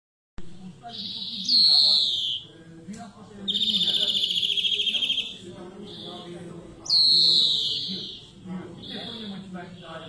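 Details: European greenfinch singing: a loud, wheezy, downward-sliding note, then a long buzzy rattling trill, then another drawn-out descending wheeze, with quieter twittering between phrases.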